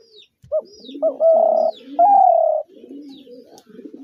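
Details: Spotted dove call in a clear phrase: two short, abrupt rising notes followed by two long, level, slightly falling coos, with low soft cooing from another dove underneath and after.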